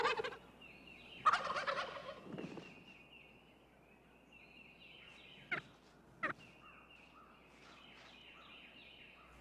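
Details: In spring courtship season, in an oak-hickory forest in Arkansas's Ozark Mountains, a wild turkey gobbler gives one loud, rapid, rattling gobble lasting about a second, with thin high songbird notes and two sharp clicks afterward.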